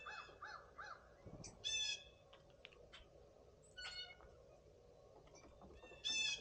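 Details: On a spring Sunday morning, three blue jays mingle with a flock of birds, giving rough, nasal, buzzy calls spaced a few seconds apart over quieter chirps and short downslurred notes from other birds.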